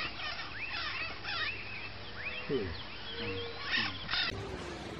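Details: Chattering chorus of Northern red-shouldered macaws, overlapping raspy squawks and curved slurred notes repeated rapidly, with a few lower, throatier calls standing out midway through.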